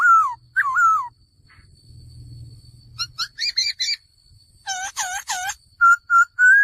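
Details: Male laughingthrush singing: two falling whistles, then short clipped notes, a trio of loud looping whistles, and three level whistled notes at the end, with a low rumble in the pause.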